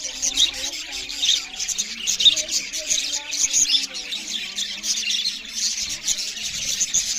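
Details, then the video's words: A group of budgerigars feeding and chirping loudly, producing an unbroken high twittering chatter with short sharp peeps standing out every second or so. "Beautiful Budgerigars parrots Chariping loud with Something Budgerigars Eating"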